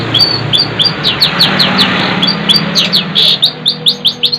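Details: Long-tailed shrike singing: a rapid run of sharp, high downslurred chirps, several per second, with loud clicky accents, over a low steady hum.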